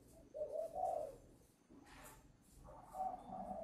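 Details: Caged young spotted dove with a newly broken voice, kept at a farm in Ba Vì, Hanoi, Vietnam and prepared for sale on 10 November, gives two soft, throaty coo phrases separated by a quiet pause.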